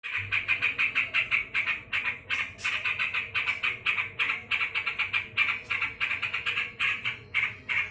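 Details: Yellow-vented bulbul, described as angry, calling non-stop: rapid harsh chattering notes repeated about three times a second in uneven bursts, with a faint low hum underneath.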